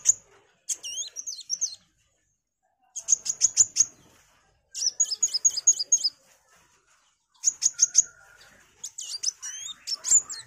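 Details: Kolibri wulung, a sunbird, singing loud and lively as training song for magpie-robins: high thin bursts of rapid trills and sharp chirps, broken by short pauses, with a brief lower whistle near the end.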